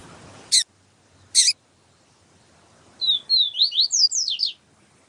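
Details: Papa-capim siu siu seedeater with a calling female, played to warm up a male: after two loud clicks comes a rapid sequence of high, sliding whistles, mostly descending, about nine notes over one and a half seconds.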